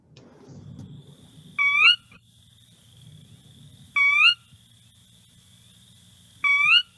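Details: Sora, a small rail, gives its distinctive high, horse-like whinny call from a marsh: three short, squealing notes about two and a half seconds apart, over a thin steady high hum and low background rumble.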